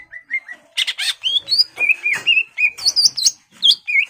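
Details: Caged greater green leafbird singing to provoke a rival into fighting: a varied, loud string of whistled slurs, rising and falling, mixed with buzzy harsh bursts and high squeaky notes, delivered rapidly and nearly without pause.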